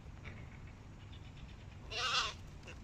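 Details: Hooded crows, young birds competing with adults: one hoarse, drawn-out, bleat-like call lasting under half a second, with faint calls before it against steady background noise.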